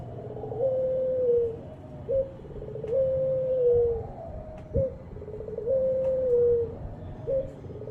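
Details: Ringed turtle dove calling in a steady rhythm: clipped low notes alternating with long, smooth, level coos that dip as they end, with a few faint clicks in the background.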